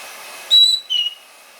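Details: After a bath, a pair of pet white-bellied parrots sits at a comfortable distance from a hair dryer; two quick loud whistled notes, the second slightly lower, ring out over the dryer's steady rushing noise.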